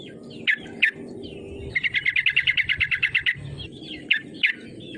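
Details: Yellow-vented bulbul call used to provoke rival bulbuls to sing; two sharp chirps, then a rapid even rattle of about sixteen bright notes, followed by more chirps, over low background rumble.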